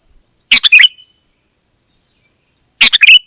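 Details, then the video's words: Golden-fronted leafbird song in gacor isian style. Two separate bursts of sharp, tumbling chirps arrive a little over two seconds apart, with a faint steady high tone in between. "Ternyata seperti ini suara burung KUTILANG EMAS 😲 gacor isian"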